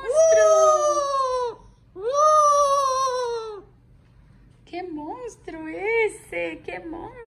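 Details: Pet Amazon parrot crying because it does not want to be bathed: two long, loud, wailing harmonic cries of about one and a half seconds each, followed by quieter wavering calls mixed with people talking indoors.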